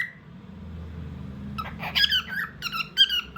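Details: Indoor pet bird after a quiet start with low background hum, then breaking into a quick cluster of high, squeaky, slightly warbled chirps during the final two seconds.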